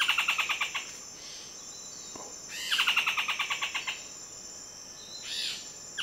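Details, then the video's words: Buff-throated foliage-gleaner giving two quick, slightly descending rattled series of sharp notes, about eight per second, over a steady high insect drone. "Buff-throated Foliage-gleaner"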